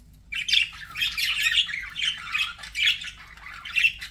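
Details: Budgies chattering in a dense, overlapping stream of scratchy, warbled chirps and squawky notes, bursts swelling and fading every half second or so, with no other sounds standing out.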